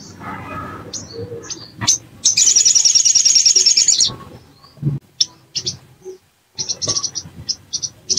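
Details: Bar-winged prinia used to provoke another into singing: a few high chirps lead into a loud, fast, buzzing trill of nearly two seconds, then a short pause and a run of quick, sharp high notes.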